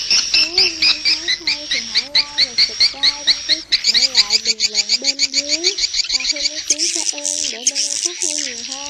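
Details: Edible-nest swiftlet calling the flock toward a swiftlet house: rapid, regular high chirps, roughly two per second, over lower wavering tonal glides; near the end the chirps merge into a harsher, buzzier high twitter.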